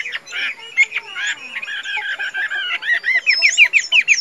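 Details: Caged Chinese hwamei in Vietnam, tame and kept for singing and fighting, mixes rough chattering and warbling with faint background notes, ending in a run of bright upward-flicked whistles.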